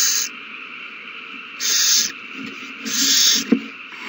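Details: Owls squabbling over a mouse at the nest, 21 March 2020: a hissing burst at the start, then two longer, harsh, breathy hisses about a second apart, with a faint click between them.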